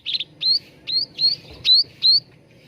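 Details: Cucak ranting bulbul used as a singing lure. Six clear whistled notes, each sliding upward, spaced roughly every third of a second over a low rumbling background.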